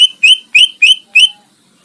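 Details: Greater green leafbird song used as a master recording for competition birds: five loud, clear whistled notes, each rising slightly, spaced about a third of a second apart.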